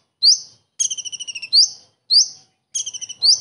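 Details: Kingfisher-style song of a common iora: loud rising whistled slurs alternate with rapid trains of high clipped notes, each phrase separated by brief silence, with no other sounds.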